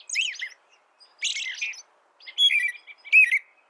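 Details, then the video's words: Four robin-song phrases: an American robin recording meant as a master for training birds, mixing sweet falling whistles with a rougher buzzy phrase and short gaps between. "Suara burung american robin"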